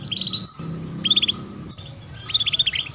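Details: Female canary calling "cuit cuit" as a prompt for young canaries to sing: three short bursts of quick high chirps, with a faint steady hum underneath.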